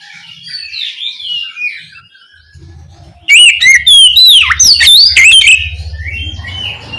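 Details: Oriental magpie-robin (Copsychus saularis) calling to its companions, giving loud, varied whistled phrases with sharp slurred notes after softer bird chatter in the background; a low hum underneath.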